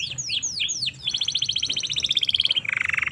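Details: Domestic canary, a recording meant for training other canaries: four downward-swept whistled notes, then a fast even trill of high clicking notes, ending in a buzzy lower roll.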